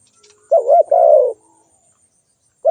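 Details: Single low, soft coo phrase from a spotted dove: two short rounded notes then a longer sustained coo, with the next phrase just beginning at the end.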